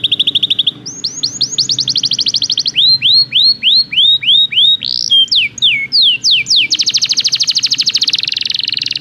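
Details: Belgian canary singing as training material: a fast high trill, then rising whistles, a series of arched down-slurred notes, more sweeping phrases, and a long rapid buzzy trill at the end, over a faint low hum.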